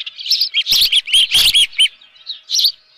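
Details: Osprey with a live fish at its nest on a June 2018 morning: a short cluster of high, squealing chirps, irregularly spaced, with a couple of sharp clicks.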